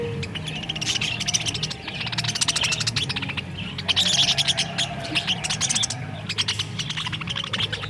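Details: A flock of many budgerigars in a budgie sanctuary at a farm aviary chatters nonstop with high, rapid chirps and warbling twitters.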